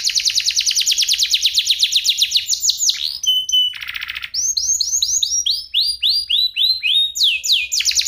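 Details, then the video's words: Canary, F1SF line, singing as a tutor for other birds: a fast rolling trill, a high pure tone and harsh buzzy burst, then series of arched whistled notes repeated about three per second. "Masteran cocok untuk murai batu!! Audio Jernih Suara Kristal Cengkok Unik"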